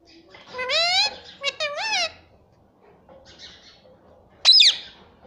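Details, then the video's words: Pet talking parrot, a green ring-necked parakeet, indoors saying "mummy": two loud harmonic speech-like syllables, a falling then rising tone, followed by a quieter pause and a sharp high squawk. "talking parrot mummy papa || bolne wala tota"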